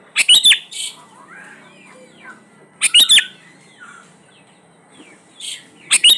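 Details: Sooty-headed bulbul (kutilang) lure song for getting reluctant bulbuls to sing: loud sharp chirped bursts about every two and a half seconds, separated by softer descending whistled slurs and quiet chatter.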